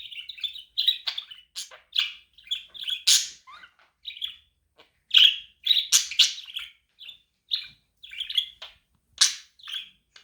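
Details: Continuous budgie chatter offered to stir a lonely budgie into activity: a steady run of high, buzzy chirps and warbles with short gaps, some notes sharp and loud.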